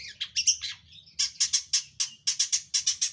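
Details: Long-tailed shrike (cendet) gives sharp, high, clipped chips in quick clusters of two or three, with brief pauses between the bursts, over a faint low background hum.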